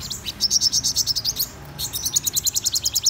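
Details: A Black-throated Sunbird sings in the morning, a rapid, high-pitched string of thin twittering notes, about three per second, with a brief pause midway.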